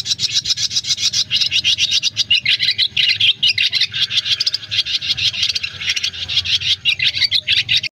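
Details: Swiftlets in a recording used to call a flock to roost: dense, high, rapid clicking twitters, bursts overlapping almost without pause throughout, with a faint low hum beneath.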